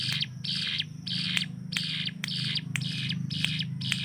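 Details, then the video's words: Hill prinia (ciblek gunung) kept as a tutor bird to train speed in other songbirds, delivering its rapid-fire burst song: harsh, buzzy notes repeated about twice a second in a steady series over a constant low electrical hum. "CIBLEK GUNUNG || Melatih Speed dan Tembak Burung Gacoan"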